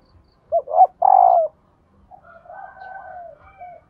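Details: {'caption': 'Female spotted dove call, used to prompt decoy males that will not coo: a short note, then two loud hoarse coos in quick succession, followed by a fainter, drawn-out wavering coo.'}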